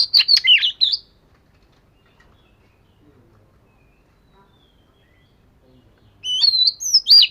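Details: Oriental magpie-robin of the vẩy cá (fish-scale) type in daily voice training. A jumble of loud whistles opens, a long silence follows, and then comes another bright, varied phrase with rising slurs.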